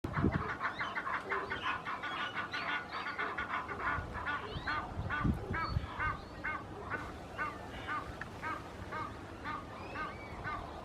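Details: Red-knobbed coots defending their territory by chasing other birds away, including rival coots: a busy run of short, sharp, nasal calls repeated rapidly and unevenly, several birds overlapping, over a low rumbling background.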